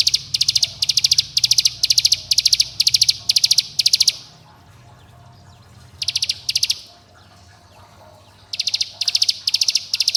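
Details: Bar-winged prinia in rapid song: high buzzy bursts of ticking notes, repeated about twice per second for four seconds, then a pause, a short burst, another pause and a fresh run; meant to stir young birds and rivals, over a low hum.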